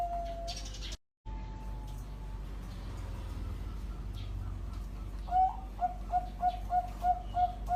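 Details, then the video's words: Bangkok-type zebra dove cooing: after a long steady whistled tone, a run of short pulsed coos near eight hundred cycles repeated about three per second, over a constant low hum and background noise. "suara burung perkutut Bangkok"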